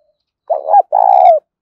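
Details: A single spotted dove phrase used as a lure call to draw in birds: a quick broken two-note stutter followed by one drawn-out, smooth, slightly falling coo, clean and close.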